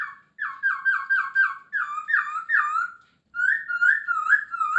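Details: Masked laughingthrush in lively 'gacor full isian' song: rapid run of five downslurred whistles, louder swooping notes, then a continuous wavering whistled phrase.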